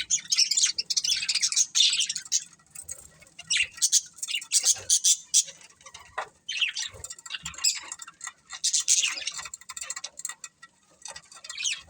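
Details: Budgerigar breeding pair chirping in scattered short bursts of high, scratchy chatter with frequent pauses, some notes sharper and squawk-like.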